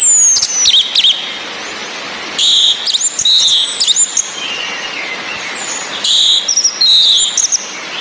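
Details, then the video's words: Female orange-headed thrush whistling, played to excite a male stuck at twittering into breeding condition and song. A long thin descending whistle runs alongside high chirps, broken by loud bursts of broad hissing noise. "ANIS MERAH BETINA NGECIS‼️ COCOK UNTUK NAIKAN BIRAHI BURUNG YANG MENTOK DI NGRIWIK SAJA"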